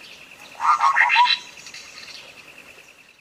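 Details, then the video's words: Sooty-headed bulbul singing clearly, as a tutor recording to draw song from a silent bird: a loud, rich, tumbling phrase of several quick bubbling notes lasting under a second, then quiet with a continuous high whine. "masteran cak kopi suara jernih untuk pancingan macet bunyi"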